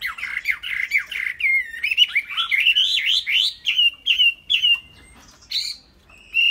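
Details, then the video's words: A caged Chinese hwamei pours out a rapid sequence of rising and falling whistled notes, about two per second, building into swooping phrases before short pauses and a last high note. "Chim Họa Mi"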